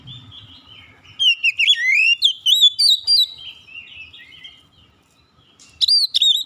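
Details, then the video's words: Oriental magpie-robin song: a rich run of loud, slurred whistles sweeping up and down, a quieter warbled stretch, then a final burst of sharp whistled notes. A faint low rumble is audible at the start. "KICAUAN INDAH BURUNG KACER"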